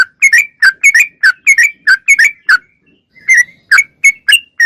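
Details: Sooty-headed bulbul singing steadily: a run of short, clear whistled notes, often paired, then a brief pause near three seconds before the phrases resume. There is no background noise.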